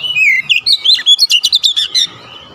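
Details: Oriental magpie-robin in full voice: a sliding whistle then a rapid, even run of about a dozen ringing chirps, every note loud and high, trailing off into quiet.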